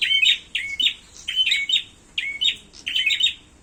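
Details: Fighting calls from a prinia, sharp chirpy notes that dip and rise, grouped in fast clusters repeated roughly every two-thirds of a second.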